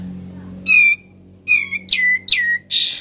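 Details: Sooty-headed bulbul singing in the ngebren style: clear whistled notes, then rapid buzzy downslurred phrases and a harsh rasping note at the end, over a faint low hum.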